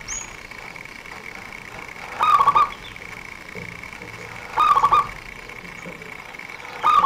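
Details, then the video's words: Local zebra dove, a prolific singer used as a lure by bird trappers, with a fast, tight voice. It gives short warbling cooing phrases about every 2.3 seconds over a steady high background whine. "perkutut lokal gacor buat pancingan para pemikat burung"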